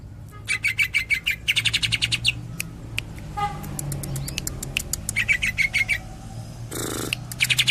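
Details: Bursts of rapid chattering chirps from a greater green leafbird in tembakan style, separated by scattered ticks, softer notes and a short rushing noise.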